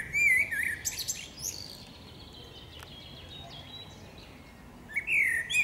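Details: Female common blackbird singing in a forest: a short fluty, warbling whistled phrase opens the recording, followed by a long quiet stretch with faint high twitters, then another mellow phrase at the end over steady rustling background noise.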